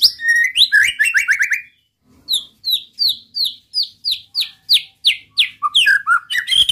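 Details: White-rumped shama singing to provoke rival males: quick trilled notes, a short gap, then a steady series of loud descending whistled notes repeated almost twice a second, ending in varied chirps.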